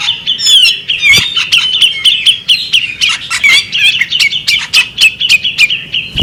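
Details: Female bearded magpie robin singing a steady stream of clear chirps and short whistles, evenly paced and loud throughout, over a faint low hum.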